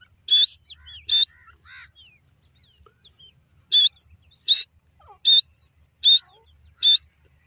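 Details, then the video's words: Grey francolin, known locally as teetar, gives two sharp, loud bursts, falls quiet for two seconds, then resumes with five more evenly spaced harsh calls; soft chirps from other birds fill the gaps. "teeter bird sound;francolin bird awaaz"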